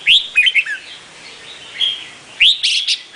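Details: Red-whiskered bulbul, called the Vietnamese crested bulbul, giving short bright whistled phrases, a rising slurred note then quick chirps, pause, another rising whistle and a burst of chirps.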